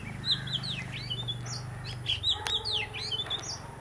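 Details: Oriental magpie-robin, part of a visiting pair, delivering a lively stream of whistled notes, some sharply falling, others looping, over a steady low hum.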